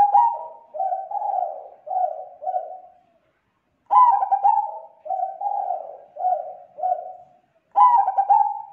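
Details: Zebra dove calling steadily as a lure to draw in others of its kind: three loud, rolling coo phrases about four seconds apart, each trailing into a series of softer, evenly spaced mellow notes.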